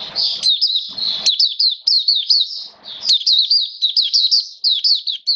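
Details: Mata Puteh, the Oriental white-eye, a hobby cage bird in wet rainy conditions on 29 September 2022, sings a continuous high, fast warble of looping, slurred whistles, a few notes per second, scarcely pausing.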